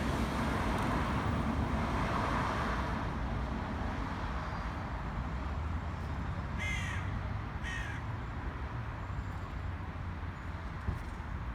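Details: A pair of grating caws about a second apart rises midway over a broad, steady rumble of outdoor noise as black crows attack a pigeon.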